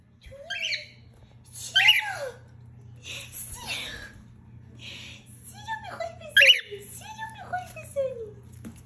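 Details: Angry cockatiel, a pet parrot, giving harsh squawks with bright bursts near the top and lower descending glides, several calls spread across the clip, with a steady low hum behind.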